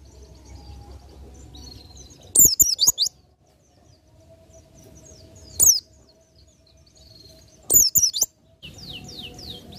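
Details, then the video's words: Oriental white-eye, ngalas nembak song style for tutoring other birds: three short, piercing twittered bursts over a quiet background with faint distant chirps and a steady low hum. "PLECI NGALAS NEMBAK"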